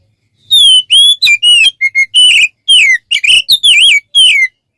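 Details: Oriental magpie-robin song used as a tutor recording for training songbirds: a clean series of separate loud whistled notes, some steady, some rising or falling, delivered about two per second in a quiet background.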